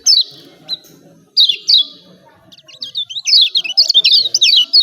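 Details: Yellow white-eye (pleci Lombok) 'ciak ciak' calling: a few separate falling high chirps open, followed by a fast, irregular chatter of rising and falling notes toward the end.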